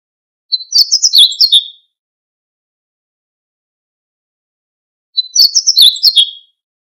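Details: Siberian bunting song: two short phrases about four seconds apart, each a quick run of high, varied chirps and sweeping whistled notes lasting just over a second, with silence between and no other sounds.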